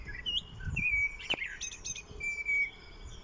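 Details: Common blackbird singing among daffodils in Lanfertsweg on 1 April 2021, said to be a young bird: short clear whistled phrases breaking into high squeaky twitters, over a soft low background rumble.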